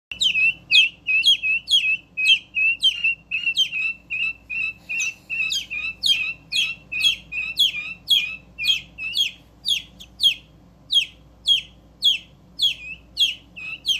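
Young chicken and guineafowl chicks give high, sharp peeps, repeated about twice a second.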